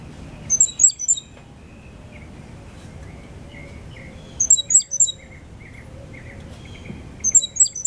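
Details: Five-month-old captive-bred Cuban grassquit with a loud, clear 'silva australiano' song and a trill acquired from a 'silva cristina' tutor: short bursts of sharp, very high sizzling notes come every three seconds or so. Fainter lower chirps twitter in between.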